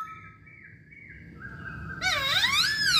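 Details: Chinese hwamei singing: soft steady whistled tones at first, then a loud rich burst of swooping, overlapping whistles in the last second.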